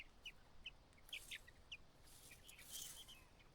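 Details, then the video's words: White-browed laughingthrush mother calling her only chick out of the nest on its fledging day; short, sharp high notes repeated irregularly, soft and somewhat distant, with faint rustling behind. "The only child White-browed Laughingthrush fledges on its final day.独生子白颊噪鹛，最后一天离巢，鸟妈妈在外面叫它出来"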